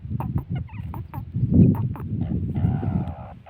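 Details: Female grey francolin calling: a quick run of short, harmonic, clucking notes, then a longer nasal harmonic call with steady tone, all over heavy low rumbling noise.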